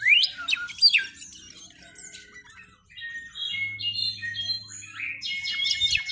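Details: A juvenile Brown-backed Solitaire (Myadestes unicolor), practising and tuning its song, runs through a varied, rambling string of high fluty whistles, slurred sweeps and chips, with a brief low hum in the background.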